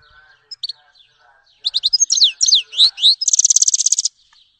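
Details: Grey-headed goldfinch (Carduelis caniceps) sings a few thin notes, then twittering slurred whistles leading into a fast, even trill of rapidly repeated notes.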